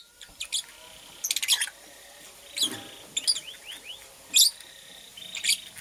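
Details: Purple lovebird, a female making her nest, gives irregular high chattering chirps, a quick rattled cluster early on and several short thin squeaks later, in a quiet room.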